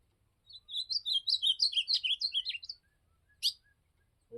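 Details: Azulão, or ultramarine grosbeak, during a field outing (campeada), delivering a rapid, tumbling warble of about two seconds made of many short, sliding, twittery notes. A lone sharp click follows, with a faint low hum in the background.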